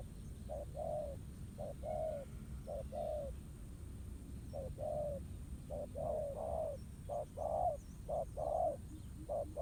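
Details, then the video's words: Wild spotted dove at a ground-decoy trap, cooing in irregular pairs and triplets of soft low notes, some overlapping, over a constant low rumble. "Bẫy cu gáy mồi đất. Kèo đấu quá hấp dẫn, bổi gù quá tốt."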